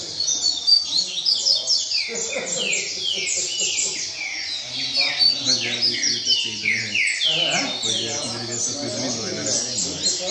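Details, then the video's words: Double-collared seedeater in a cage within a singing circle performing its rain song: about four quick high downward-sweeping whistles per second over ten seconds, low background chatter of people. "Coleiro Mack Na Roda Cantando Centrado Canto Chuva!!!"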